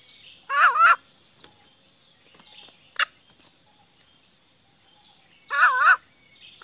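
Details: Green junglefowl hen calling, a call used to draw males: two short wavering double notes a few seconds apart, with a faint click between them and a constant high hiss behind.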